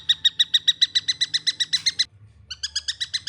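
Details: Young long-tailed shrike calling rapidly: a steady run of rasping, buzzy notes about five per second, a brief pause, then the series resumes.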